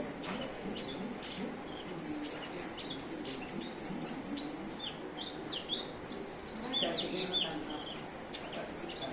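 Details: Grey-cheeked bulbul, a kept bird noted for varied song and skilled mimicry of other birds, used as a model for training songbirds. A busy stream of sharp chirps, quick upslurred whistles and twittering notes runs continuously over background hiss.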